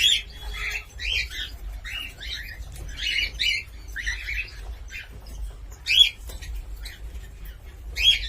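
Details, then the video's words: Cockatiel calls: a series of harsh, buzzy chirps repeated about every second, some paired in quick doubles, with a few sharper squawks toward the end against a quiet background. "COCKATİEL SOUND"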